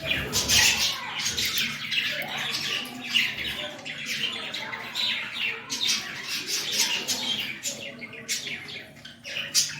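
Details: Trained pet budgerigars (Melopsittacus undulatus) chatter continuously with rapid, scratchy squawks and warbled chirps; budgerigar.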